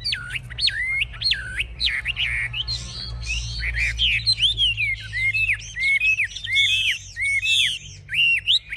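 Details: Chinese hwamei, caged and known as an aggressive fighter, shows off with high wings and a fanned tail while pouring out loud looping whistles, rising and falling slurs and some harsh scratchy notes.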